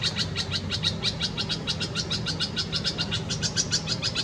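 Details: Red-vented bulbul chicks in a nest in a Karaunda bush in a Delhi garden, India, during peak summer heat in May 2020, being fed: rapid high chips repeated about three times a second, steady and insistent, over low background hum.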